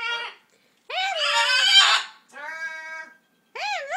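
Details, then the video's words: Macaw imitating speech, its words very fuzzy: four separate squawked utterances, a short note, a long rough one, a flat nasal tone and a final wavering yelp. "Macaw talking"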